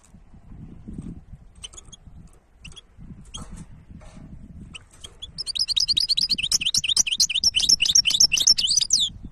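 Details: European goldfinch hybrid singing: after a few seconds of quiet scattered chirps, a loud rapid run of high twittering, trilled notes bursts out and continues to the end, with faint low rumbling underneath.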